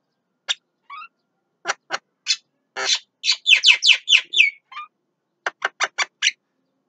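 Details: Javan myna singing at midday: a varied run of harsh, buzzy broadband notes mixed with sharp downslurred whistles, bunched in a rapid middle burst, then a quick series of four clipped notes ending in a rising whistle.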